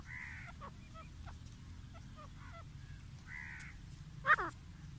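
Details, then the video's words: A pair of grey francolins (teetar) calling: nasal, harmonic drawn-out notes alternate with short clipped ones, then one loud harsh burst near the end, over a steady low rumble. "Grey Francolin Pair Sound . Voice . Teetar ki Awaz.Boli . جوڑے کی آواز"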